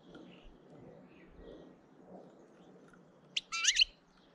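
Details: European goldfinch (Carduelis carduelis), a hefty bird filmed in early April, gives a threat call intimidating another goldfinch: one sharp note, then a quick harsh twittering burst of buzzy high notes under half a second.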